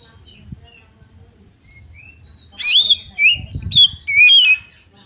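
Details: Oriental magpie-robin song used to stir another bird to fight: faint, scattered thin whistles at first, then a loud burst of warbled, swooping whistled phrases over a low background rumble.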